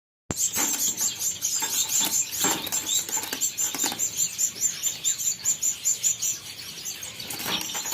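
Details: Albino red-eyed cut-throat finches in an aviary give a steady stream of thin, high chirps, several birds overlapping, with bursts of fluttering wings throughout.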